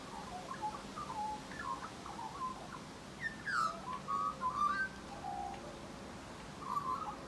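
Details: An Australian magpie sings in spring, warbling a rich, fluting series of mellow mid-pitched notes with a louder burst of slurred, gurgling phrases midway; faint background hiss.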